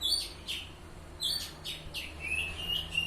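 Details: Kacer, the Oriental magpie-robin, in ngeplong song: short loud whistled notes separated by gaps, then a long thin sustained high whistle, over faint low background hum.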